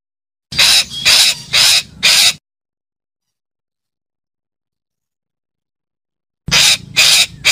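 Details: Parakeet calling: a run of four harsh, raspy screeches about half a second apart, a long silence, then three more of the same loud, grating calls.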